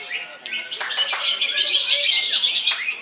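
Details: Cucak ijo, or greater green leafbird, in continuous loud 'koncer' singing: sharp downward whistle strokes, then a rapid, unbroken stream of high, shrill twittering notes without pauses.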